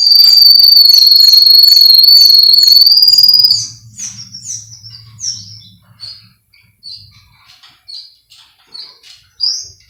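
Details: Male Russian canary training song from a breeder in Miami, Florida: a loud, fast rolling trill for three and a half seconds, then a string of quieter short chirps and clipped notes.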